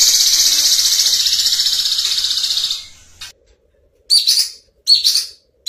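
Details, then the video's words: Kedasih ungu, or violet cuckoo, in clear, rapid 'tembakan' phrases: a high, fast-pulsed trill fading out after almost three seconds, then silence broken by two short bursts of shrill, rising notes. "Masteran Kedasih Ungu Gacor Full Tembakan Jernih"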